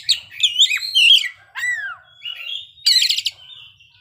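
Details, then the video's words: Oriental magpie-robin singing its isian repertoire: sweeping clear whistles, then a long downslurred note, a thin sustained whistle and a harsh buzzy rattle near the end, over a faint low hum. "kacer ngeplay bongkar isian"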